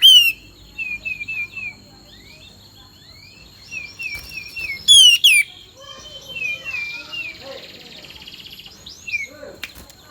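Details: Sooty-headed bulbul song used as a lure to make other bulbuls sing. Clear whistled notes, short wavy phrases repeated in a series, with a few louder sharp bursts in between. Some fainter chatter sits behind them.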